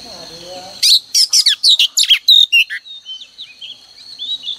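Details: Female oriental magpie-robin singing, used each morning to prompt males to sing: a fast burst of loud, high whistled and chattering notes for about two seconds, then softer twittering phrases trailing off.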